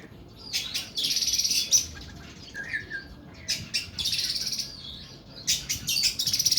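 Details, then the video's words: Oriental magpie-robin (kacer) singing long, harsh 'nembak' bursts: dense, buzzy, high-pitched rattling phrases separated by short pauses, with a brief lower slurred whistle in the middle. "KACER KUKU BIMA NEMBAK PANJANG & KASAR"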